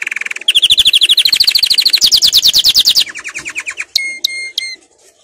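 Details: Powerful canary song for training: a low buzzy opening, then a long rapid trill whose notes climb in pitch, followed by softer chattering notes and a few clear whistles.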